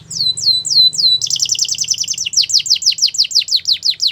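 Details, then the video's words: Belgian canary singing to encourage other canaries to sing: a few slow descending whistles, then a quick buzzy trill and evenly repeated high downward-sweeping notes. "Special canaries to seduce all the canaries to make them sing | Belgian canary"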